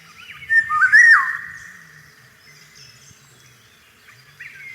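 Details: Eurasian golden oriole in spring with cherry trees in bloom, giving one rich, fluty whistled phrase that rises and swoops down, followed by a short faint start of another phrase; low rumbling noise underneath.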